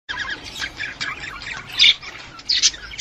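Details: Budgerigar chatter played to stimulate a female to breed: busy, scratchy chirps and short squawks in bursts, with a louder squawk near the middle and another toward the end.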